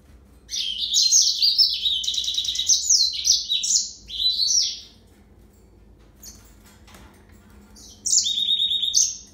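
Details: Yellow-fronted canary in sustained song: rapid, high-pitched trills step up and down in quick succession for several seconds. A pause follows, then one more ringing trilled phrase.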